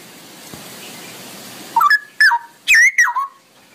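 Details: Straw-headed bulbul beginning its long ropelan song after a quiet stretch, with four loud, bubbly bursts of falling, liquid whistled notes in rapid sequence.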